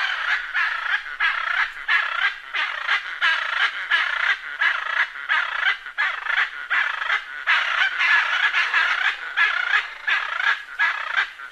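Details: Macaw calls, a rapid series of harsh, raspy squawks repeated more than once a second with uneven spacing, strongest in the mid range, with no other clear sounds.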